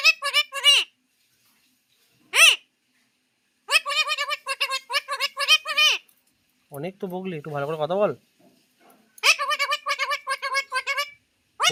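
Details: A pet talking parakeet, in a fierce quarrel, chatters in shrill, nasal, word-like bursts that rise and fall quickly, answered once by a lower human voice.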